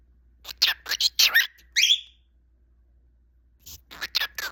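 A cockatiel gives a run of soft, breathy, speech-like chattering bursts with one short whistled note that rises then falls, then chatters again after a pause.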